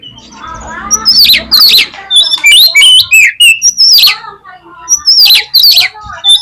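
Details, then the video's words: Oriental magpie-robin lure song meant to make tail-shy birds fight: repeated loud phrases of high, fast whistled sweeps and buzzy chips, delivered in dense bursts about every second, with faint low rumbling at the start. "COCOK UNTUK PANCINGAN KACER YANG MALAS BUKA EKOR SEKALI DENGAR AUTO FIGHTER"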